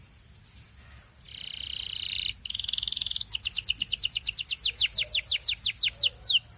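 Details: Belgian canary song used to prompt other canaries to sing: a brief whistle, then steady buzzy trills, breaking into a rapid series of sharp descending whistled notes.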